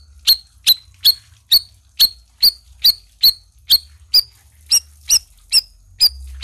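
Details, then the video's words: Black-crested bulbul (cucak rawis) in active voice, giving a steady series of about fourteen piercing, high chip notes, roughly two per second, each quick and slightly slurred, with faint low hum behind. "SUARA CUCAK RAWIS GACOR"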